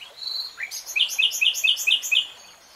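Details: Common nightingale (Luscinia megarhynchos) song in woodland: a short whistle then a rhythmic series of about six loud, chirping two-part notes repeated quickly.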